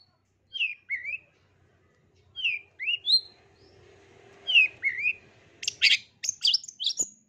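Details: Long-tailed shrike song used as therapy for a caged bird reluctant to sing: paired whistled, down-slurred notes repeated about every two seconds, then a quick burst of harsh, buzzy chattering notes near the end.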